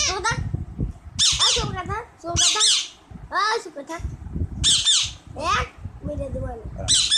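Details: Parrot talking alongside a child: harsh, bright squawks and bent voice-like syllables come in bursts roughly every second or two, mixed with low murmuring speech in the room.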